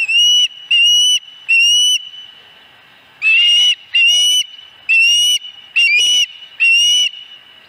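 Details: Dunrovin Ranch osprey nest, 26 August 2020, fourth fish: an insistent series of about ten loud, shrill whistled notes, three, a pause, then a faster run, each note slightly rising with harsh overtones.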